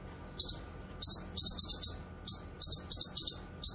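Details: Cucak kinoy, or grey-cheeked bulbul, giving dense, bright, high chirps in rapid runs of three to five notes, broken by brief gaps. The calling is energetic and insistent.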